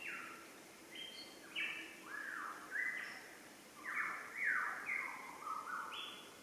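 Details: Possibly a male lyrebird (speaker thinks) calling in the background with a varied repertoire of bird sounds: a run of loud, clear whistled phrases, some rising and some falling, about two per second over a steady background hiss.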